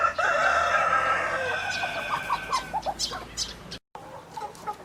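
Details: Rooster crowing: a long, loud harmonic crow held for about two seconds, then a run of short, sharp clucks and a few higher notes fading out.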